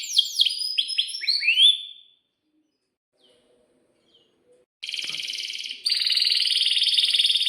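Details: Canary song meant to prompt young canaries to answer: rapid downslurred chirps, then near silence for almost three seconds, followed by two dense buzzy trills at different pitches.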